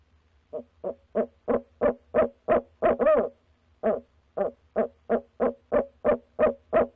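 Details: Barred owl at a nest box on a February night in 2019, one of a calling pair, giving a steady series of about eighteen short, evenly spaced hoots, roughly three each second, with one louder, longer note midway; otherwise quiet.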